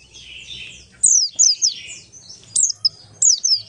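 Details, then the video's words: Oriental white-eye of the buxtoni race in ngalas-style lure song for other white-eyes. Soft warbling, then several sharp, high, down-swept whistled phrases in short groups. "pleci Buxtoni ngalas 12345 pancingan pleci bahan agar cepat bunyi"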